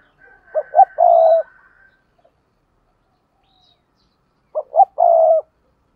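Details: Spotted dove used as a decoy, cooing hard in the "gù" manner; each phrase has two quick short notes and then a sustained mellow coo, repeated twice about four seconds apart in silence.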